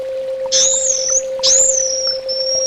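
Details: Orange-headed thrush song: two long, high whistled slurs, each rising sharply and then gliding slowly downward, about a second apart, over a steady low electrical hum.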